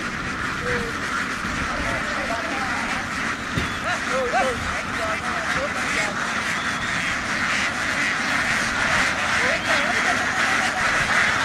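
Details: Flock of domestic laying ducks in Vietnam running across a field and down onto a boat; overlapping short nasal quacks, rising and falling, scattered through steady broadband noise with voices and engine-like rumble.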